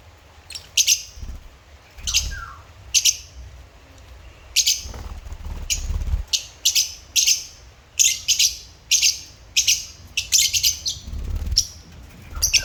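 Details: Pet African lovebirds chirping steadily. Sharp, harsh, high-pitched chirps come singly and in quick bursts every second or so, with faint low rumbles in the background.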